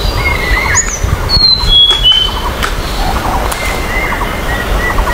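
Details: Wild Blood-breasted Flowerpecker: a handful of thin, high, piercing whistles, flat or gently falling, scattered through the first half, with other birds chirping and a constant natural hum behind.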